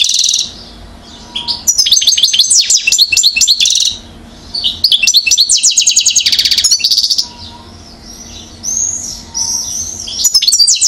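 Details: One-year-old European goldfinch in Mouzaia, Algeria, 2012, with repeated energetic bursts of high, jangling twitters and buzzy trills, interspersed with softer warbled notes during pauses.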